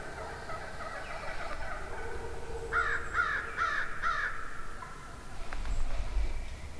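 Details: Four loud raspy yelps from a wild turkey hen, one every half second, amid a large flock at morning in the woods, with softer clucks and purrs from other hens before and after.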